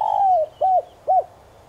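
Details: Lure spotted dove cooing in the standard 'son' voice: a long, slowly falling mellow coo followed by two short, evenly spaced arched coos, clear against a quiet background.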